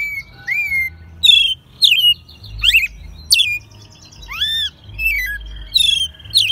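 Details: American robin kept at home in Mexico City since it was a nestling, recorded in March 2020 singing loudly: a run of varied whistled, rising and falling phrases interspersed with sharp high squeaks, slightly hoarse in tone.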